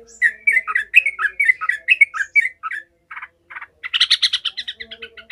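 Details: Agitated Yellow-vented bulbul in full voice, its angry cackling used to toughen other bulbuls for fighting: a quick series of bubbly whistled notes, a pause, then two rasping bursts and a dense scratchy chatter.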